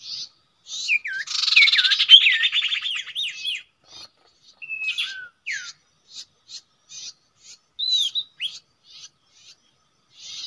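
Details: Common iora at its usual nesting site, a known trapping spot: a long, rattling, buzzy chatter mixed with looping whistled notes, then scattered short dry chips and a few thin slurred whistles with silent gaps.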